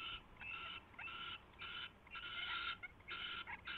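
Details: Owl at its nest at 4:21 AM on 24 February 2016 as a mouse is delivered and fed; rough, hissing screeches in uneven bursts of about half a second, separated by brief gaps.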